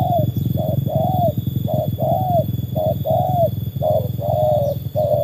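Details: Tekukur, a trained spotted dove matched against wild doves, coos in repeated pairs of a short note followed by a longer, slightly falling one, over a constant low hum.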